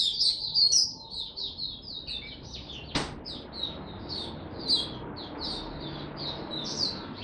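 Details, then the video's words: A captive white-eye (Mata Puteh) in Singapore, finally starting to sing again on 31 July 2023, gives a rapid, continuous run of high, thin, bright jumbled twittering notes with one sharp click partway through. "Mata Puteh Buka Sing"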